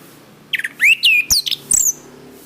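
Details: Orange-headed thrush song for training cage birds. A rapid, varied run of clear whistles: sweeping slurs, quick chirps and a high thin note at the end, each phrase separated by brief gaps.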